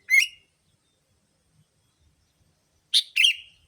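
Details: Sooty-headed bulbul lure call used to attract bulbuls: a short harsh chirping burst at the start, then a double chirp after a three-second pause, with otherwise quiet surroundings.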